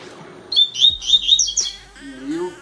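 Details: A newly acquired captive Green-winged Saltator of the "3 notas boi" song type gives a loud, clear whistled phrase of several high notes lasting about a second, followed by quieter low sounds.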